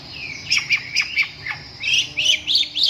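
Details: A long-tailed shrike gives quick chirping song: a string of short, downward-slurred high notes, then a denser run of buzzy, squeaky phrases in the second half.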